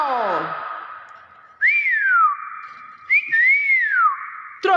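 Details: Intermedia common hill myna from Thailand: a fading harsh note, then two clear whistles that rise and slide down, spaced about a second and a half apart, with a sharp final call.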